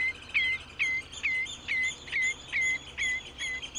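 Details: Common redshank repeating loud, piping, falling whistles: eight notes in under four seconds, evenly paced, each note sliding sharply downward.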